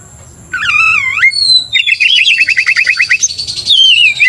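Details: Oriental magpie-robin in vigorous 'gacor' song, used to provoke rivals: a drawn looping whistle, then a fast rattling series of rising-falling notes and a bright descending whistle, over a steady high tone.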